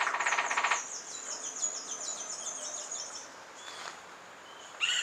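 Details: A male Rufous-winged Woodpecker drums outside a bedroom at Pierella Ecological Garden, loud enough to wake a sleeper: a rapid, even burst of about fifteen dry taps in under a second, then thin, high chirps and squeaky notes from other birds.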